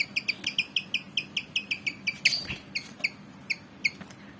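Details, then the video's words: ['Eager to fight, a black-and-white Malaysian pied fantail of about 19 cm gives a fast, even string of bright chirps, then a short harsh note and a few slower scattered chips.'] "Burung Kipasan Jawa Ngotot Liat Pengen Tarung"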